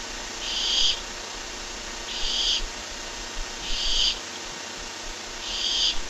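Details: Barn owl recorded by webcam on 23 July 2015 gives a regular run of rasping, airy screeches, four bursts about one and a half seconds apart, loud and even, over a low constant hum.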